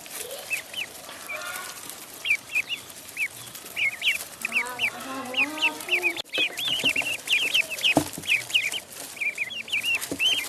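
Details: Peeping of a duckling in a pond: bright, short, arched notes in quick irregular runs that grow busier midway, with a few low murmurs and clicks underneath.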